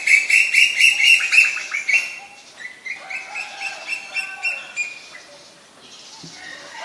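A female Asian koel gives a fast, shrill run of sharp kik notes, about four a second, that bursts out loudly and then trails off into scattered fainter calls.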